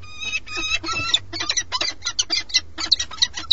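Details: Peregrine falcon pair at a nest during changeover, live webcam in Alcalá de Henares, Madrid, Spain: loud harsh rhythmic chattering notes, rapid wailing series of about a dozen calls in under four seconds.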